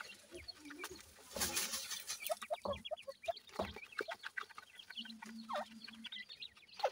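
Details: Baby partridges in care, many chicks peeping busily with quick, high, downslurred cheeps, interrupted early by a loud scraping rustle and scattered taps.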